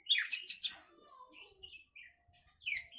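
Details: Oriental magpie-robin song to stimulate breeding condition: three quick harsh chattering notes, soft trailing whistles, then a final raspy burst.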